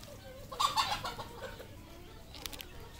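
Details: Red junglefowl on a farm in Cambodia: a short, loud burst of harsh clucking early on, then quieter scattered chirps and clicks over a steady low hum.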